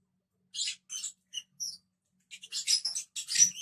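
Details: Lovebirds giving short, harsh, high-pitched chirps in bursts, a few scattered notes followed by a denser cluster of squeaky calls.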